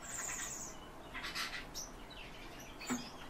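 Calandra lark song: a thin high whistle, then quick scratchy, chattering bursts and sharp chirps in a varied run, over faint background hiss.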